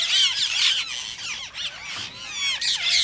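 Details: Rose-ringed parakeet squawking, said to prompt other parakeets toward song and mating: piercing, harsh notes with bending harmonics. They pour out in quick overlapping volleys, louder at the start and end.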